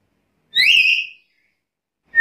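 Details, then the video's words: A black-capped lory gives one bright, rising-then-steady whistle of about half a second, and a second call starts just as the recording ends. "Suara burung nuri kepala hitam gacor"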